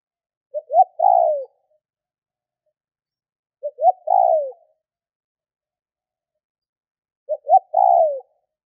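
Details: Cooing of a spotted dove meant to set other doves calling: three separate phrases roughly three seconds apart, each a pair of short rising notes then a longer sliding, descending coo, in otherwise complete silence.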